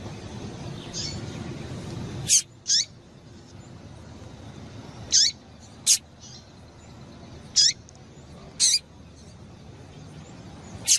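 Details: Female Double-collared seedeater (coleiro) calls meant to get males singing: seven brief, sharp high notes with slurred falling tails, scattered irregularly over eleven seconds, after a stretch of low rumbling background.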